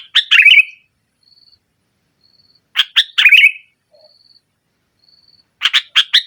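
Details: A sooty-headed bulbul sings in the 'nggaruda' style to dominate rivals and as a lure for quiet birds. Harsh slurred chattering phrases recur about every three seconds, ending with a clipped four-note run, with faint high whistles between.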